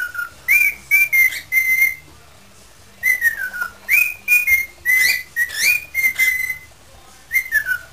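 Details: Pet parrot whistling an improvised tune, with bursts of steady and gliding pure notes grouped in phrases and a short silence between them.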